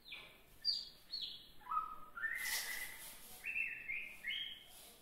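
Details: Juvenile oriental magpie-robin starting to sing, giving a series of clear whistled notes, each held briefly. The notes step down from high to low, then climb back up in short rising phrases. A brief burst of noise sounds midway.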